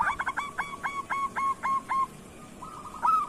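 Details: Local zebra dove song in kerot style, used to train other doves: a fast series of about eight clipped, evenly spaced cooing notes, then a faint rolling trill and a brighter note at the end.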